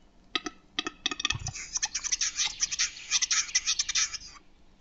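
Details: Western capercaillie (Tetrao urogallus) in Lithuania: a few dry, separate clicks, then a fast run of hissing, scraping notes like a blade being whetted, lasting about three seconds.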